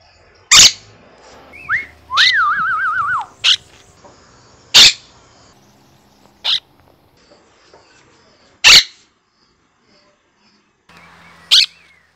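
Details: Monk parakeet kept as a household bird, uttering loud, harsh, grating shrieks in about six short bursts at irregular intervals over twelve seconds, with a wavering whistled trill near the start and an otherwise quiet indoor background.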